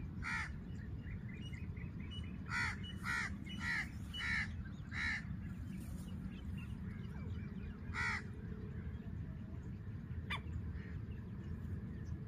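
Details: Hunting recording of a female black francolin from Layyah, Punjab, Pakistan: scattered harsh rasping notes, one near the start, then a quick run of five, later a single note, with faint twittering and steady low hum between.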